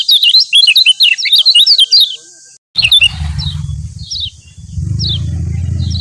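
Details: Lombok yellow white-eye used as master song to spark singing in other birds: two seconds of fast, high, jumbled twittering, then a break, then scattered thin chirps over a low steady rumble.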